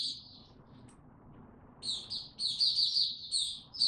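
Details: White-eye in warm, very humid weather giving faint chirps at first, then louder bursts of high twittering song in the second half over low background noise.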